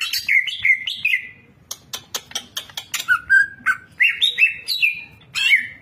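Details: Champion greater green leafbird (cucak ijo) delivering a fill-packed training song: warbled whistles, a burst of rapid dry clicks, then rising and falling whistled phrases in varied pitch.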